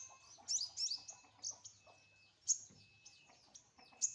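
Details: Sunbird basking in the morning sun gives quiet, thin, high-pitched chirps and short twittering notes at irregular intervals over a faint low hum.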